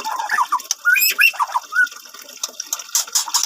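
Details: Captive-bred white-rumped shama, an F1 cross with Medan stock, from a breeding farm in Bungo, singing varied clear whistled phrases, some rising and some falling, mixed with sharp clicking notes and rattling noises in the background.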